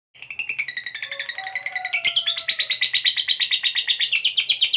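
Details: Fighter-type lovebird giving a long, emotional chattering trill used to provoke other lovebirds into answering: rapid, evenly pulsed high buzzy notes about eight per second, growing louder midway, with faint lower drawn-out whistles beneath.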